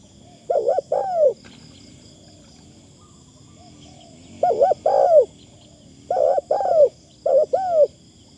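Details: Decoy spotted dove calling in a thin-phrased style. Four bursts of paired, hollow, arching coos with long quiet gaps between them, the first and second phrases separated by about three seconds of near silence.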